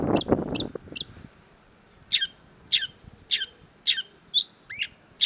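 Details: Long-tailed shrike (cendet), from a training recording for kept birds: a brief low noisy burst, two short high whistles, then loud sharp downslurred chirps repeated roughly every half second.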